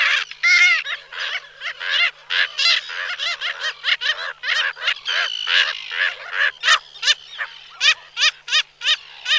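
A busy flock of Slender-billed Gulls gives overlapping nasal, slightly rising 'kyaa' calls, about three per second, in a steady clamour.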